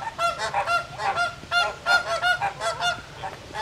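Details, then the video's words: After a Canada goose resting among them honks and wakes them, sleepy flamingos break into a noisy, harmless squabble of overlapping nasal, goose-like honks, roughly three per second, several birds calling at once with no break. "One flamingo honks, comical full scale squabble follows"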